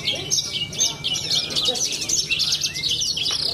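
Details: At an Indonesian songbird contest, a young champion Australasian bushlark from Cilacap gives a fast, unbroken stream of sharp, high, buzzy notes, about two bursts a second. A thin whistle sounds early on, over soft crowd murmur.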